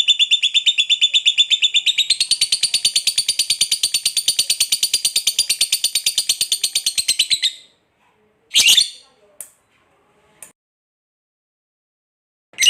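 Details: Lovebird ngekek panjang, a long trill: a sustained, buzzing stream of rapid high pulses that rises slightly in pitch after two seconds and stops abruptly near eight seconds. A few separate squeaky chirps follow.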